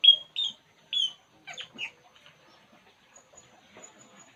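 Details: Puling bird at ease: three clear, high whistled chirps spaced evenly, followed by a couple of shorter buzzy notes, then quiet with faint distant ticks.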